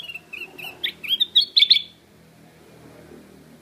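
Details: Black-crested bulbul calling loudly: a quick run of short, bright chirped notes rising in pitch and growing louder over about two seconds, then silence with only faint low background hum.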